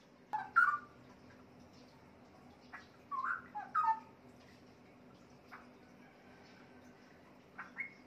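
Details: Caged adult male Straw-headed Bulbul, a breeding bird about three and a half years old, starting to sing fairly well again; short bursts of rich, bubbling whistled notes separated by long pauses over a low steady room hum.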